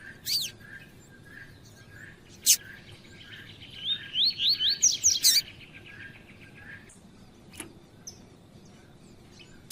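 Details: Double-collared seedeater of the tui-tui song type, played to excite males. A loud, broadband chip opens, then a quick series of rising, slurred whistled notes climbs in pitch over about two seconds. Sharp clicks are scattered around it.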